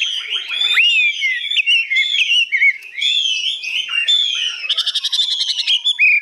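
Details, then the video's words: Caged, partly tamed hwamei, newly arrived, singing high with long phrases: loud, continuous whistled song of sliding and warbling notes, ending in a rapid stuttered trill before a final clear whistle. "hót cao cầu dài"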